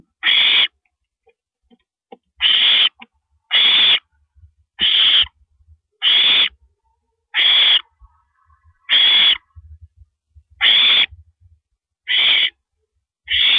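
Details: Night camera, April 9, 2012 at 1:27 AM: a female owl swallows a rabbit. About eleven rasping, breathy screeches, each under a second, follow one another in an uneven series, with faint low knocks.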